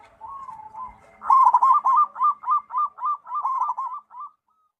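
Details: Local zebra dove (perkutut lokal) singing: a soft, wavering low coo opens, then a quick run of about nine bright, hooked cooing notes at a steady pitch, closing with a short trailing note against a quiet background.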